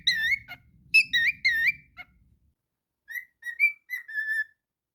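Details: Pet cockatiel whistling indoors: a burst of looping, harmonic-rich whistled notes over a faint low rumble, a pause of about a second, then five short clear whistles, some rising, others held level.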